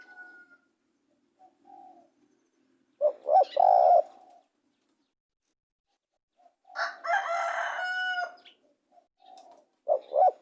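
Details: Spotted dove cooing, a clear phrase of short notes ending in a longer coo, followed by a burst of louder mixed noise and then another phrase beginning.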